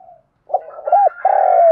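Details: Spotted dove calling as a lure for other doves: a faint note, then soft murmurs rising into an arched coo and a long, loud, level hoot that dips at the end.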